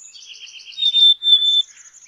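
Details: Brief burst of buzzy dee notes from a black-capped chickadee running into one long, clear, high whistle.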